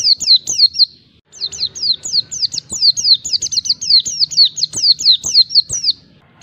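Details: Oriental white-eye pouring out a long ngalas wild-type phrase to provoke rivals: an almost unbroken run of rapid, high, down-slurred chirps, around two per second, with only one brief break.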